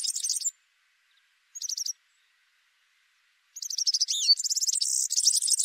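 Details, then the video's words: Male Atlantic canary: two brief high pulsed trills, then a pause, then an energetic run of rapid trills, a swooping note and a loud rolling buzz. "Вьюрок канареечный. Кенар Канарейка. Голоса птиц"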